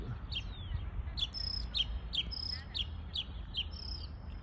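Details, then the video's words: Mockingbird that copies other birds' sounds, delivering a sharp chipping note repeated about twice a second with thin high whistles between, against a low outdoor rumble. "Mockingbird…so amazing how they can copy almost any sounds from other birds"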